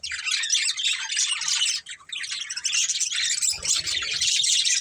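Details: Budgerigars kept as a family group, giving dense continuous chirping and warbling chatter with high buzzy and scratchy notes, overlapping calls with a brief pause near the middle.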